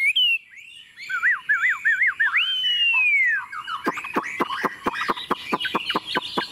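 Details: Tame Chinese hwamei singing on a table gives a few wavering looped whistles and a long falling slur, followed by a run of sharp clicking, percussive notes.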